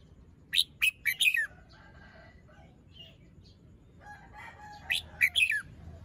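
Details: Red-whiskered bulbul showing its song phrasing in the morning, plumage fluffed, moult unfinished and crest still drooping; two bright phrases of four or five quick, rich whistled notes, rising then falling, separated by a quiet pause with faint chirps.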